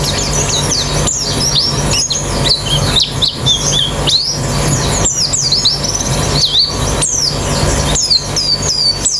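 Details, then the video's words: White-eyes played as a training sound to get a white-eye singing quickly with open beak: dense overlapping high thin chirps and quick falling and rising whistled notes, over a steady low hum and some traffic-like rumble. "Terapi Pleci Cepat Ngalas Buka Paruh"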